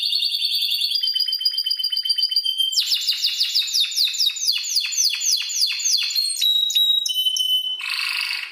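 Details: Spanish timbrado canary song meant to tutor other birds: a held whistled note shifting pitch, then a rapid series of rolling downward notes, clipped whistles, and a short harsh buzzy burst to finish.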